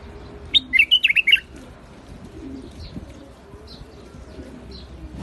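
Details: White-eared bulbul, known locally as the Iraqi bulbul, singing in rooftop gardens: one quick bubbly phrase of about six warbled, up-and-down whistled notes, then quiet with faint distant chirps.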